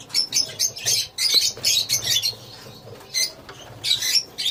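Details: Lovebirds in a colony calling in short, shrill bursts about every quarter second, squeaky and chattering, with a faint low hum beneath.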